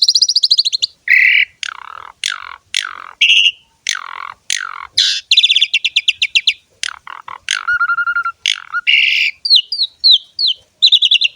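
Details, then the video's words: Asian pied starling in full 'gacor' song with luxurious fill-ins: high trills, repeated downslurred whistles and chirps, buzzy rattles, a clear steady whistle near the middle, and closing bright rising notes. "KICAUAN BURUNG JALAK SUREN GACOR FULL ISIAN MEWAH"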